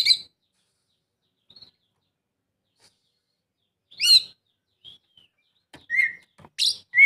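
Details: Oriental magpie-robin song, played to prompt a reluctant bird into singing: a few short, separated phrases with sharp, rising-and-falling whistled notes and harsh chirps, broken by long silent gaps.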